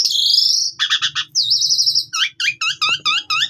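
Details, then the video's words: Asian pied starling lure song for training: a long high buzzy note, stuttering trills, a sustained whistled phrase, then a string of quick up-down slurred whistles repeated about six times, faint low hum beneath. "PANCINGAN JALAK SUREN GACOR FULL ISIAN"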